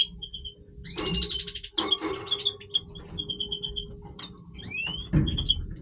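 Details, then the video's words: Goldfinch of the Major form singing its breeding song, with high twittered trills and chirps, a short rattling burst, then scattered thin whistles and rising notes, over a soft low hum and some thumps. "Stieglitz Major Breeding Voice - singing Goldfinch Part 3 طائر الحسون الرائد"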